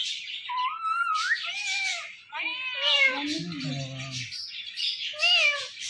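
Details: Indian ringneck parrot, a talkative pet, mixes a rising whistle with nasal word-like syllables while a low human voice murmurs in the middle of the sequence.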